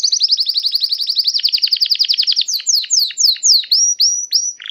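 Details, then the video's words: Song of a painted Belgian canary. A very rapid high trill slows into a series of separate downward-sweeping notes, then ends with whistled rising slurs, loud and clean. "Melodia do canário belga pintado/melody of the painted Belgian canary."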